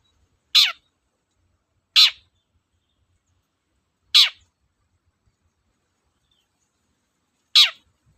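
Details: Long-tailed shrike, a lure recording meant to stir sluggish shrikes into singing: four short, harsh, rasping notes, each sweeping steeply downward, spaced irregularly over eight seconds in otherwise quiet surroundings.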